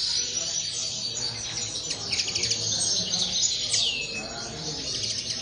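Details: Several common linnets kept in an aviary sing at once: bright, rapid chattering notes and short trills, with one prominent descending slurred whistle late on.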